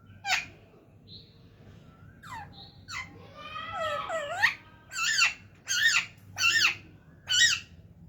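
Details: Talking parrot indoors giving short squeaks, then a long warbling, speech-like wavering call, followed by four loud rasping calls spaced about half a second apart.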